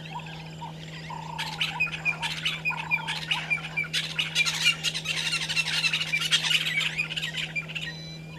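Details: At dawn (05:48, 13 December 2022), a Violet-backed starling pair calls at their nesting tree beside Gowrie dam, Djuma Game Reserve, South Africa, caught on a live camera. Rapid squeaky, rasping chatter builds and runs on, with earlier low hoots and a constant low hum.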